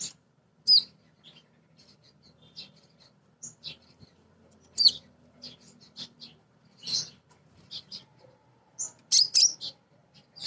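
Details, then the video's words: Crimson Sunbird female calling for males, used to lure birds into singing. Scattered high, sharp chirps and thin ticks spaced irregularly over ten seconds, with a faint low murmur behind them. "Konin Betina Gacor‼️ Nyrecet Nembak Cocok Untuk Pancingan Burung Bahan"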